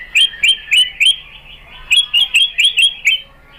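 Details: Sharp, bright repeated chips from a white-rumped shama lure recording, given in two quick bursts of four to five notes, roughly four per second.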